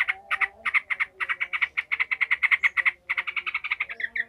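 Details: Yellow-vented bulbul in an agitated, furious ngekek chatter, used to train the fighting mentality of other bulbuls: a fast run of harsh, clipped notes, about three per second, with a brief pause near three seconds and faint lower tones beneath.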